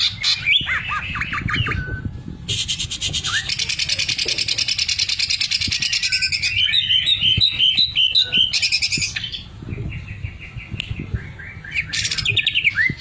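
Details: Greater green leafbird singing a lively 'gacor' song with 'mesin jahit' (sewing-machine) filling: opening rising whistles, then a long rapid buzzy machine-like rattle, bright chirping whistled phrases, and a closing upslurred whistle.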